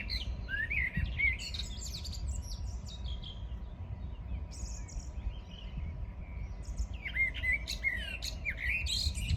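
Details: Birds in a morning chorus on 14 June 2022, giving rapid chirps, looping whistles and bright high notes in quick succession, with a steady low rumble underneath.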